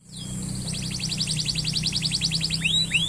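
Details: Excited male canary singing to stimulate a female to mate: after a thin falling whistle, a fast run of rapid repeated high notes, then two sweeping rising-falling whistles, over a steady low hum.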